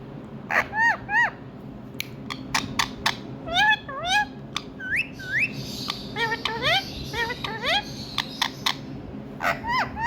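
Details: Indian ringneck parrot calling in India: repeated sharp, rising squawks with bright harmonics, some short clicks and chatter, scattered across the clip over a steady low background hum.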